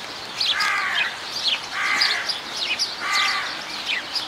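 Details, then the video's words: Glossy pheasant at Zoo Leipzig, a captive bird: three harsh, banded calls about a second long, spaced roughly every 1.3 seconds, with fainter high chirps from other birds between them. "Glanzfasan,glossy pheasant"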